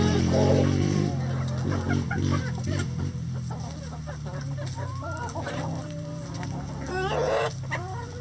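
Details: Chickens in a coop clucking, with short overlapping calls and a brief louder burst near the end, over a steady low hum.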